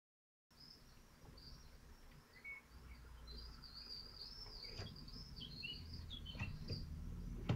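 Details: Common kestrels at a nest in Théding, France, on 25 June 2023, during feeding with prey brought in: thin, high, arched squealing calls repeated almost without pause, plus a few lower chirps over steady low rumbling background noise.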